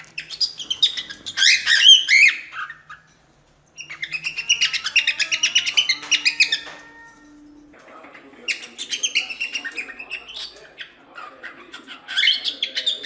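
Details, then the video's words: A cockatiel sings and calls in bursts of chattering, warbling whistles and chirps, high and busy, with brief pauses between phrases. "Canto De Calopsita | Calopsita Canto Original | Calopsita Piando | Calopsita Chamando"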